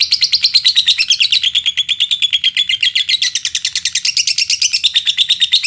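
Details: Lovebird lure song, Indonesia, for provoking other lovebirds to sing: an unbroken, rapid, shrill trilling chatter of about eight notes a second, wavering slightly in pitch.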